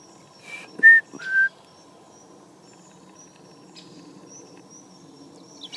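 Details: European robin in a garden on a cold November morning, 2014; three clear, pure whistled notes, each slightly lower than the last, then near silence with faint high notes.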